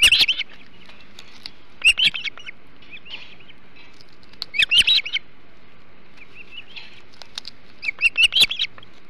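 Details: Ospreys feeding on a large flounder at their Hog Island nest, 21 July 2016; brief clusters of high whistled chirps every two to three seconds, with quiet gaps and faint clicks between.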